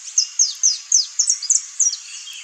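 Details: Wild saffron finch singing free in nature: a quick series of high, sharp chirps and downslurred notes, about three or four per second, over faint background hiss.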